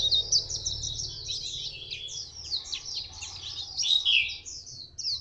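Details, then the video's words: A white-eye, recorded 2 October 2015 in Phù Yên, sings beautifully: a fast, continuous stream of high, thin twittering notes with quick slurred chirps, with a low hum beneath. "Chim vành khuyên hót rất hay"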